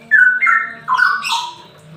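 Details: Straw-headed bulbul in semi ropel song, kept to prompt quiet birds to sing: two brief, full-toned warbled phrases, the first level and the second sliding downward, over a faint low hum.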